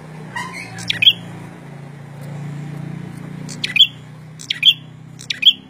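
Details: Prenjak (prinia) in full, lively voice, giving four sharp, abrupt chipping bursts spaced about a second apart over a steady low hum.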